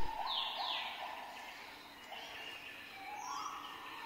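A male zebra finch sings soft, nasal, buzzy notes with quick falling sweeps to court a female.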